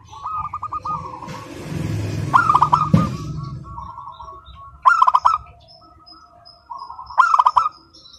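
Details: Local zebra dove singing nonstop with a clear voice: rippling pulsed coos, short trills and sharp loud note bursts repeated about every two to three seconds. A burst of broadband noise and low rumbling sounds early on.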